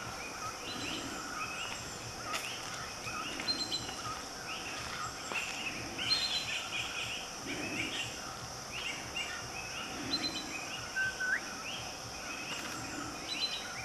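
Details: Sri Lanka blue magpie in Sinharaja forest: short, scratchy chirps and squeaky notes in loose bursts, over a steady hiss of forest insects and low, regular pulsing sounds.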